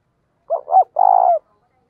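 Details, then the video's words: Decoy spotted dove's luring coo: a pair of short, rounded hoots leading into one extended, rolled, mellow note that dips at the end, recorded close and clean. "Chim cu gáy mồi thúc và gáy gọi cực đỉnh"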